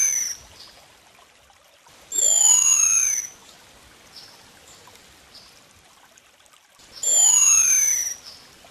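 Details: White-whiskered puffbird (Malacoptila panamensis) song: two thin, very high whistles, each about a second long and slowly falling in pitch, spaced about five seconds apart, with faint soft notes between.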